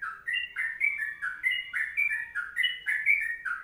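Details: Sooty-headed bulbul with a lively, chattering warble of rising and dipping whistles, about three notes a second, sung in the long 'kongslet' style.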